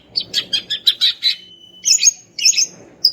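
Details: Greater green leafbird, a female calling a male, played to provoke silent males: a rapid run of staccato chirps joined by a thin held whistle, then bright twittering phrases, over a low murmuring background.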